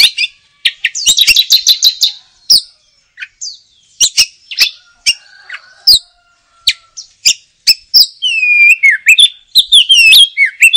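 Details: Oriental magpie-robin song opening with rapid buzzy chatter, then spaced sharp clicks, building to a run of looping whistled notes that slide down and up toward the close.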